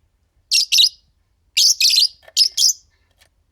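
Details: Fischer's lovebirds, a green pair, calling: loud, grating, high chirps in paired bursts, with slightly drawn-out rasping notes and a brief quiet gap.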